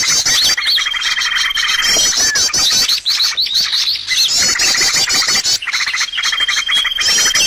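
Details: Trapping lure recording of birds: loud, continuous high chirping and trills, with zigzag whistled phrases and a sustained pure whistle returning twice, broken by short dips in the chatter.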